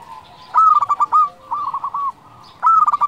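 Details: Local zebra dove song used as a lure for other doves: loud staccato phrases of rapid clipped coos, a rolling bubbling middle phrase, then the staccato pattern again.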